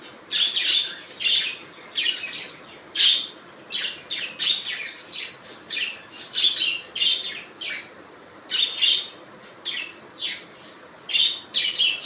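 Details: Natural budgie sounds: a steady run of short, scratchy chirps and buzzy notes, repeated in quick groups roughly every second, with faint warbled whistles woven between them.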